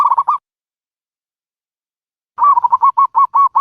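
A dove gives a quick string of soft, rolling coo notes. A brief burst comes first, then after a pause a steady run of about a dozen repeated notes. No other sounds.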